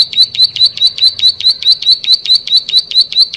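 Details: Energetic plain prinia song, a rapid, even series of high, ticking, buzzy notes repeated about twice each second, with a quiet background.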